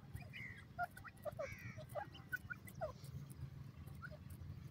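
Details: Captive-raised Iranian francolin chicks, with an adult shown dealing with the young. Thin descending whistles and brief chirps sound every half second or so, some doubled, over a constant low mechanical hum.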